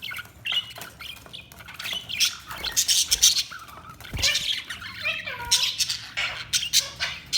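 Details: Busy budgie chatter of continuous scratchy twittering and squawks, with a few short gliding whistles and a brief thump midway.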